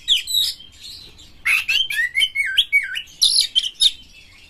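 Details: Oriental magpie-robin singing a rough, harsh lure song meant to stimulate other birds into song. Whistled phrases open, then a dense buzzy burst leads into rapid, wavering whistled notes that slide up and down, ending in high scratchy chatter.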